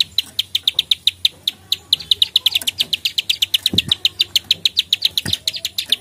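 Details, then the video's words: Energetic, combative plain prinia (prenjak sawah) click calls: a continuous fast run of sharp clicks, briefly bunching and quickening near the middle, with two dull low thuds in the later part. "prenjak klik gacor fighter narung"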